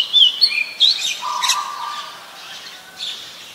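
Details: Oriental magpie-robin singing in Ubon Ratchathani, Thailand, 28 October 2021, a very common resident recorded with a Nikon P1000: a few bright, quickly sliding whistles open, followed by a flat, lower droning tone and softer notes.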